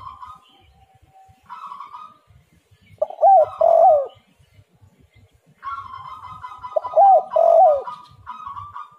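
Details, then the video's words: Spotted dove song used to draw other doves into calling. Buzzy, raspy phrases alternate with loud paired coos, heard twice about four seconds apart. Low rumbling sounds run in the background. "derkuku super gacor suara angin Topan"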